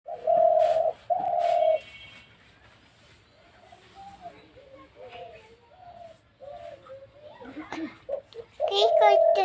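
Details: Spotted dove cooing: a pair of loud, steady, hollow coos at the start and another at the end. Softer, lower murmuring notes and distant voices fill the middle.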